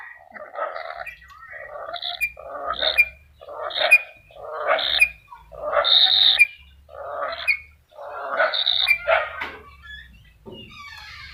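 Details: Black-capped lory calling with repeated harsh, nasal screeches about once a second, several topped by a brief high whistled note, with quiet low rumbling between calls.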